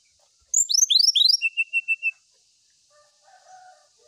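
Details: Brown-chested jungle flycatcher singing to find a rival. Rapid downward-sweeping whistles give way to five evenly spaced short notes at a lower pitch. Faint, low drawn-out tones follow, with a steady high hiss throughout.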